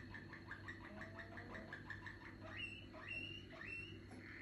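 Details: Developing song from a young Malinois canary: quick repeated rolled notes, then three rising, water-like whistled phrases. A steady low hum sits in the background.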